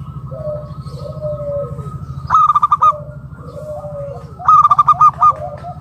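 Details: Zebra dove, a local bird kept as a lure to make other doves sing: two bouts of rapid, stuttering, pulsed cooing notes about two seconds apart, with softer lower drawn notes between them and a continuous low hum.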